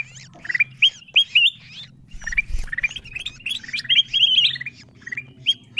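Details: Ruby-throated bulbul lure calls used to draw wild birds down: busy overlapping chirps, short upswept whistled notes repeated rapidly, several birds calling together, over a low steady hum.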